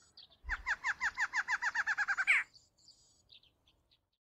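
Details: Barred antshrike (Thamnophilus doliatus) in a rural area of São Miguel do Iguaçu, Paraná, Brazil, sings a quick run of about fourteen nasal, hooked notes over two seconds, ending in a louder, rising flourish; faint bird calls follow.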